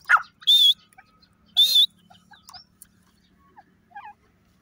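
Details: Grey francolin giving two loud, piercing whistled notes about a second apart, followed by softer scattered chirps and faint notes in a quiet rural setting.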